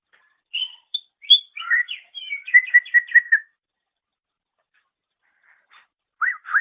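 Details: Greater green leafbird recorded as a master for training songbirds: varied whistles lead into a quick series of about seven evenly repeated clipped notes, then silence and a closing pair of low swooping calls.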